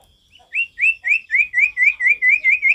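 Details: Male ashy tailorbird in vigorous natural song: a steady series of about ten rising, upslurred whistles, each roughly a quarter second apart, growing faster and more even as the series goes on.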